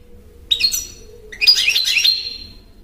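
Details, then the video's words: European goldfinch singing two twittery bursts, the second longer with tinkling, buzzy notes, above a low background hum. "chardonneret -goldfinch saka kuşu jilguero Stieglitz"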